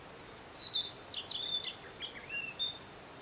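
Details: Narcissus flycatcher at Matsunoyama hot spring in Japan, giving a rich whistled song of sliding, warbled notes and short clipped elements, several phrases in quick succession over faint ambient hiss.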